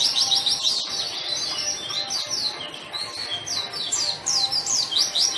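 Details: Vigorous white-eye song, used to lure and tutor white-eyes that are reluctant to sing: a near-continuous stream of very high, sharp, twittering chirps and quick downward sweeps, rising and falling in loudness throughout.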